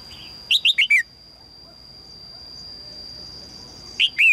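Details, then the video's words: A female red-whiskered bulbul calls to draw a strong male, giving a rapid run of four sharp chirps that fall in pitch, then a quiet pause before two more chirps begin; a constant thin electronic whine runs throughout. "นกหัวจุก birds - นกตัวเมียร้องเจี๊ยก ๆ เพื่อเรียกนกตัวผู้ที่แข็งแรง"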